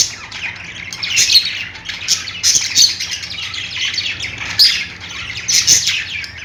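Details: Budgies chirping in a busy group, scratchy squawks and rapid high twittering running on steadily, punctuated by louder sharp calls about once a second.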